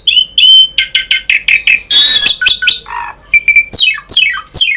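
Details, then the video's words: Varied Asian pied starling song as a lure for other starlings: a run of quick repeated chirps, a loud noisy screech, a low buzzy note, then several sharply falling whistled slurs. "Jalak Suren Gacor Full Isian ‼️ Variasi,Cocok Untuk Pancingan Suara Burung Jalak Agar Cepat Gacor"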